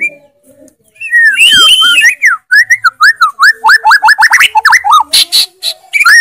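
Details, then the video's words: Murai batu, the white-rumped shama, singing actively with full 'isian' and loud 'tembakan': looping whistled notes that rise and fall, followed by quick repeated chirping phrases. "MURAI BATU GACOR FULL ISIAN TEMBAKAN KENCANG, KICAUAN YANG SANGAT MENGGAIRAH KAN MURAI BATU ISTIMEWA"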